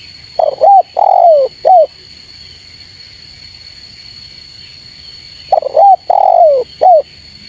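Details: Spotted dove call meant to provoke rivals into answering: two matching three-part phrases of soft coos, a short note, a long sliding coo and a clipped ending, about five seconds apart, over a faint steady whine.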